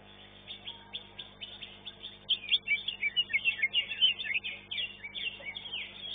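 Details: Caged greater green leafbird (cucak ijo) in a bird-singing contest, elite class, placing second: rapid high chirps and shrill whistled trills repeated about three per second, growing louder mid-phrase, with other contest birds faintly behind.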